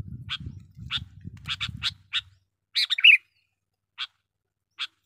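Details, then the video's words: Sooty-headed bulbul song used to lure wild bulbuls: a run of crisp chirps, a burst of liquid warbling notes, then two slow isolated chirps. Low rumble fades out early. "burung kutilang pikat gacor dengan sara panggilan pikat kutilang gacor"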